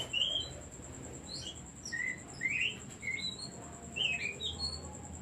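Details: Oriental magpie-robin singing as a decoy to get other birds singing: sharp, bright whistled and chirped notes in quick irregular bursts, with faint cooing beneath and a thin steady electronic tone.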